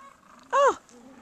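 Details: A gentoo penguin at an Antarctic island rookery in breeding season, with pebble-carrying birds around, on a day of about 43 degrees, gives one brief, hoarse squawk that rises and falls in a quarter second, over low murmur.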